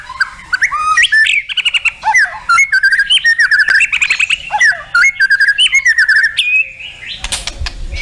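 White-rumped shama singing a rich, varied run of clear whistles, rapid trills and sharp chattering notes, densely packed and changing pitch constantly, ending in a harsh burst.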